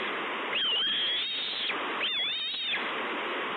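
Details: Hungry bald eagle chick at Two Harbors on 30 May 2013, screeching for food: two drawn-out, thin, high whistled screeches that rise and waver, over steady loud rushing noise like wind or surf.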